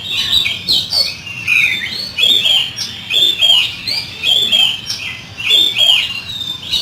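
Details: Oriental magpie-robin rough fill-in song: rhythmic, rising and falling whistled phrases mixed with harsh chatter, repeated in quick cycles, loud and sustained throughout.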